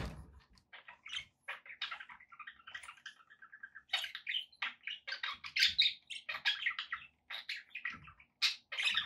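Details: Budgies keep up a continuous warbling chatter of rapid chirps, clicks and raspy squeaks, growing louder and denser toward the end.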